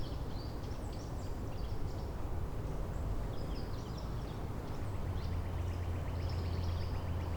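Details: Neighbouring Northern Cardinals answering each other with variants of a downward sliding song theme, Angrignon Park, March 19; a late rapid train of repeated whistled units follows scattered high chirps of other birds over constant low background hum.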